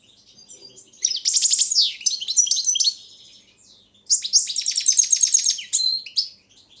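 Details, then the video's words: Competition song of a bred Balkan goldfinch, Carduelis carduelis balcanica, from a Serbian-run online world championship in 2016: two bursts of fast, high, buzzy trills and twittering notes, each lasting about two seconds, separated by a short pause. "Pesma štiglića 004/22 World Championship in Goldfinch Song"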